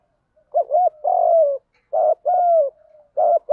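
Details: Fighting coo of a spotted dove, giọng đồng style, meant to excite and draw in wild doves; three phrases, each a brief doubled note and a sustained falling coo, with a soft low hum between phrases.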